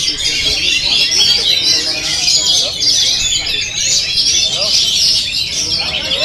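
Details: Oriental magpie-robin song in a simulated bird contest used as training therapy for captive birds: dense, overlapping high chattering and whistled phrases from several birds at once, continuous with no pauses.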